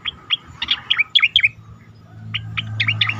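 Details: Asian pied starling song for training competition birds: a fast series of sharp, bouncy whistles with dipping inflections, a short gap, then several more chirps over a low steady hum.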